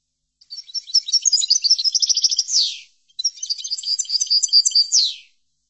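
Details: Two consecutive phrases of European goldfinch song from a tutoring recording, each a jangle of fast high twitters and trills ending with a falling buzzy slur, separated by a short pause.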